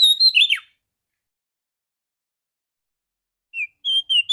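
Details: Morning lure of a clear-voiced female Oriental magpie-robin for stimulating males: the end of a chirpy phrase with a falling slur, silence, then the opening short whistles of another phrase.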